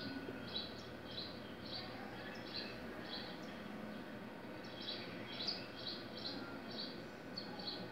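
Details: Saffron finches fighting violently; short high chirps come in quick bursts about twice a second through the clip, over a steady low hum and background noise.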